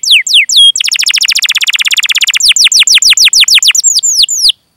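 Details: Canary song meant to coax other canaries into singing, opening with a few falling whistles, then a fast rolling trill of rapid notes, followed by slower, spaced, downward-slurred chirps.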